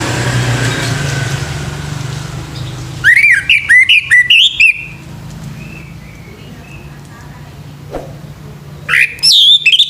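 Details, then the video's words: Male orange-headed thrush in the morning, giving bursts of loud, rich whistled phrases with quick slurred notes, a pause of several seconds, then another burst near the end over a low steady hum. "SUARA ANIS MERAH PAGI HARI"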